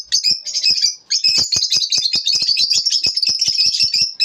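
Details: Lovebirds chirping in the morning, a short pause then a dense, fast run of high, buzzy twittering notes with faint clicks beneath.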